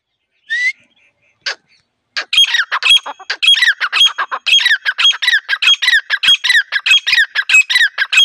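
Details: Wild female grey francolin calling, the recording used as a lure for trapping; after two short opening notes comes a fast, harsh, squawky run of rising and falling notes, about one and a half per second, continuing steadily to the end.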